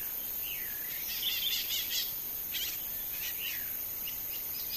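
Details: A wild chalk-browed mockingbird (Mimus saturninus) singing varied phrases: sweeping slurred whistles and bursts of harsh, chattering notes in quick succession, over steady background hiss.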